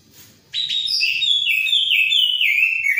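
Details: Orange-headed thrush singing vigorously: a long continuous phrase of rapid whistled notes stepping down in pitch, sweet and varied, almost three seconds without a break.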